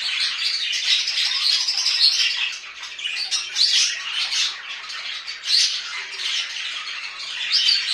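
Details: Budgerigars kept as pets at home: rapid raspy chattering mixed with squawks and thin whistles, loud at first, dipping briefly, then resuming in strong bursts.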